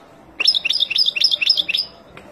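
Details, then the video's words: Wild European goldfinch singing to teach young birds: a clear, lively phrase of rapidly repeated, bright twittering syllables, each with a rising sweep, lasting about one and a half seconds. "اروع تغريد طائر الحسون البري لتعليم فراخ"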